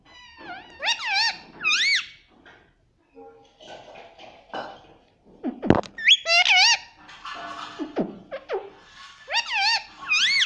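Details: Pet parrot talking amid thuds and handling noise: clusters of arched, squeaky, speech-like syllables at the beginning, middle and end, with thumps and soft murmurs between them.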